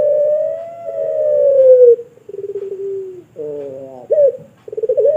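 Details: Indonesian pelung turtle dove's long call, recorded for teaching other birds: a sustained coo sliding gently downward for two seconds, followed by a wavering lower phrase, a rising hooked note and a final short coo.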